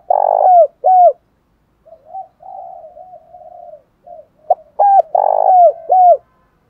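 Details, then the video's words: Morning cooing from a spotted dove used as a decoy to draw in wild birds; loud rolling coo phrases ending in a dropping note bracket softer, wavering murmured notes in between. "Tiếng chim cu mồi gáy gọi bổi buổi sáng"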